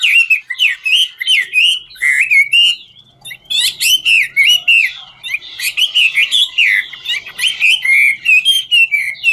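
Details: Singing Chinese hwamei, "ngũ trường" style, dancing while it sings; loud continuous stream of looping whistled phrases with short buzzy accents, barely pausing, a brief lull near three seconds.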